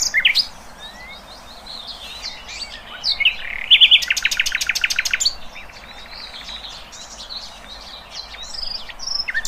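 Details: Birds singing in the wild: scattered high chirps and tweets, then a burst of bright notes leading into a rapid rattling trill, then quieter twittering.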